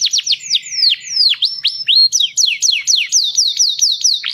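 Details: Canary song meant for teaching young birds, made of rapid, slurred, downward-sweeping whistles repeated almost without pause, some notes rising at the end, bright and high throughout.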